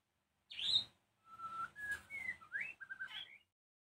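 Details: Evening song of a white-rumped shama, meant to stir rival shamas to respond. A loud, high, slurred note is followed by a string of pure level and upward-sweeping whistles, then short warbled phrases, with soft low background noise.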